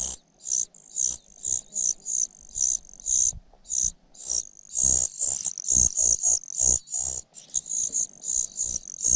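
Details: Cuckoo chick that keeps losing out on food, pecking its foster mother; insistent hissing high begging notes repeated roughly twice a second, quickening into tight clusters midway.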